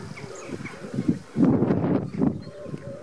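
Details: Cinnamon teal during courtship, giving low, rough chattering notes in a quick irregular run, loudest in a dense burst midway and again near the end, over a soft outdoor background.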